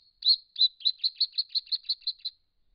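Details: Camera-trapped wild Brown Treecreeper at a pond in regional Victoria, Australia, cautiously drinking and bathing, gives a quick rattling series of about eleven sharp, high notes over two seconds, evenly spaced after two longer opening notes.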